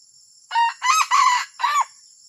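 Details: Junglefowl giving an unusual crow: four brisk, harsh phrases in about one and a half seconds, the last two curving up and down, with a steady high electronic whine behind.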